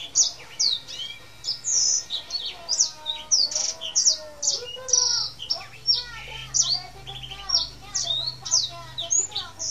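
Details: Male Black-throated canary, tame and in full rolling song, pours out a nonstop chain of sharp, high, downslurred notes and short trills, with softer lower warbles running beneath.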